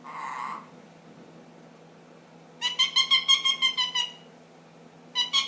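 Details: Young captive ring-necked parakeet, ten months old, making funny noises indoors: one brief harsh note, a pause, then a rapid run of about eight buzzy, harmonic pulses, followed by a shorter burst at the end.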